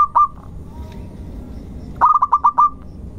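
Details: Lure song from a local zebra dove: the tail of one phrase opens, then after a quiet gap comes a quick phrase of about six rounded, mellow coo notes at an even pitch.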